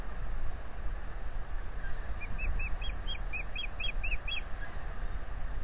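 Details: At a Salt Point osprey nest on 15 April 2020, the male offers to take over incubation and the female refuses. A run of about nine rapid, sharp, down-curving chirps stands out above heavy low wind noise.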